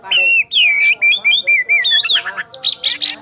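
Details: White-rumped shama, a kacer cakrawala from Sukabumi, sings a rich run of clear whistled notes sliding between pitches, then quick repeated chips and bright rattling bursts in a rolling, rapid-fire style.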